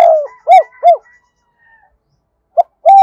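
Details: Spotted dove used as a decoy, cooing in the two-ending double-voice style to call wild birds. Two hoarse arched coos close a phrase, then after a pause a new phrase starts with short coos.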